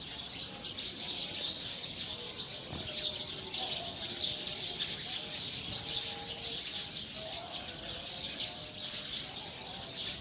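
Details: Eurasian tree sparrows settling into a tree for the night, many birds chirping at once in a thick, high-pitched twittering wash, with a few faint low tones.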